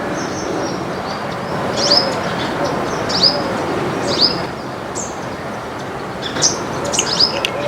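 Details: Baya weavers in a backyard flock feeding on grains utter sharp, high chirps at roughly one-second intervals, with faint softer notes and steady hum behind.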